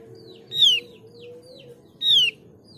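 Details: Mees's white-eye, a lure to make other white-eyes answer: two strong descending whistles with harmonics, about one and a half seconds apart, softer short notes between, over a low continuous drone.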